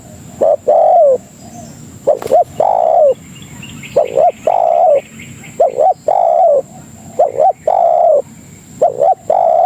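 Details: Lure call of a spotted dove for attracting companions: a series of mellow coo phrases, short paired notes then long descending coos, repeated steadily, with faint high twittering from other birds in the background.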